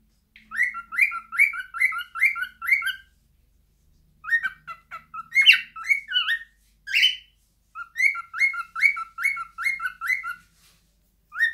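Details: Cockatiel song from a pet bird, three phrases of quick repeated two-tone whistles, each note sliding up then dropping to a lower pitch, with a few harsher squawky notes mixed into the middle phrase.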